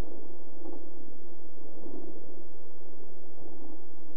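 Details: Steady low hum and broadband hiss with no animal calls.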